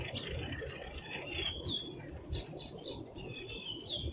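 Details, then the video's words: A Thrush Nightingale sings in Bryansk, Russia, a rapid song of high chirps, sweeping whistles and clicks, several notes each second, over a low rumbling background. "Голоса птиц. Соловей. Birds' voices. Nightingale. (Luscinia luscinia)"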